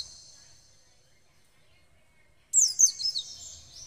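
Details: Captive Oriental white-eye being trained to answer quickly: a quick burst of very high, thin, twittering warble, rapid rising and falling notes lasting over a second, after a faint fading high tone.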